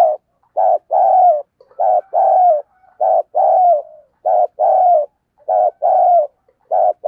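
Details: Decoy spotted dove delivering its patterned coo to lure wild birds. A steady run of about six pairs, a short soft note then a longer falling coo, at a regular pace with clean silence between.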